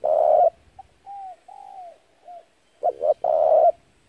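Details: Lure spotted dove calling to draw in wild doves for trapping: a loud hoarse coo, then soft drawn-out descending notes, followed by a quick stuttered pair and another long coo.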